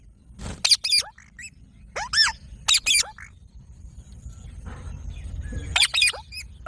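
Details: Parrot squawking in harsh, high bursts of two to three calls, with gaps of hissing background noise between the groups.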